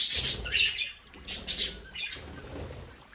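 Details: Australian budgerigars kept for breeding, chattering in quick high chirps: a dense opening run, a quiet gap, then paired sharp notes near the middle and softer trailing twitters over faint low background rumble.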